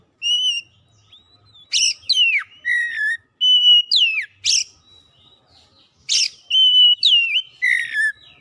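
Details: Song of an Oriental magpie-robin, used to spur a bird that has stopped singing: varied phrases of pure whistles, steeply dropping slurs, and rasping bursts, repeated in irregular clusters with brief pauses.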